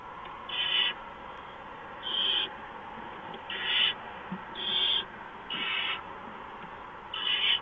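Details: At a barn owl nest, 6 March 2015 at 4:26 AM, during delivery of a mouse: six rasping hisses, each under half a second, spaced roughly every one to one and a half seconds.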